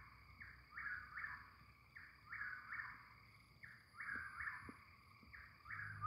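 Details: Chuck-will's-widow (Antrostomus carolinensis) repeating its rolling, three-part whistled song, roughly one phrase every second and a half, over a steady high insect drone.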